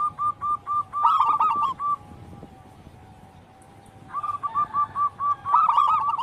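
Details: Local zebra dove singing: a series of clipped, evenly spaced coo notes ending in a rolling burst, then a silent gap, and a second matching phrase.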